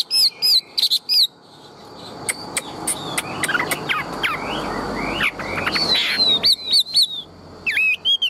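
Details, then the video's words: Tame caged Chinese hwamei of large build, a strong loud singer kept for fighting, gives short bursts of clear whistled notes at the start and end, separated by a quieter, noisy stretch with scattered faint notes. "Chim họa mi thuần - Bộ To - Hót hét rất tốt"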